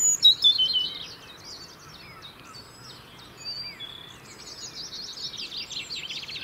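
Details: European robin song from the UK, used to maintain winter territory: an opening phrase of high, thin slurred whistles, a quiet gap of soft notes, then fast jingling trills.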